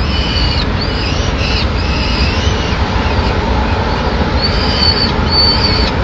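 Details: Begging peregrine falcon chick on a nest ledge in Madrid, 25 May 2016, calling while the female brings a pigeon; a few long, thin, wavering whines in short bursts, then a pause and more, against constant low urban traffic noise.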